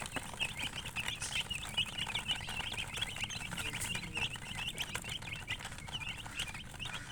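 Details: Chickens chirping: a dense, steady stream of short high peeps, softer and partly masked by a low background rumble and faint voices.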